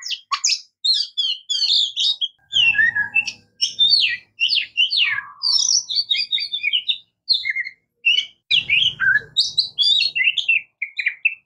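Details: Singing Oriental magpie-robin (murai kampung, kacer) delivering a dense run of sweet whistles, twittering trills and short harsh notes with varied pitch, a low whistled note midway, and faint low rumbles in the background twice.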